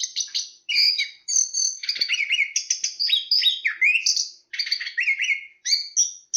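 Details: Chestnut-capped thrush giving a continuous varied song of rich whistled phrases, alternating high and mid-pitched notes with quick slurs, rising sweeps and short trills, few pauses between bursts.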